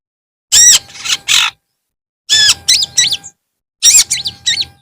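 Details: In the afternoon a long-tailed shrike utters loud grating squawks followed by quick whistled up-and-down notes, in three phrases about a second apart.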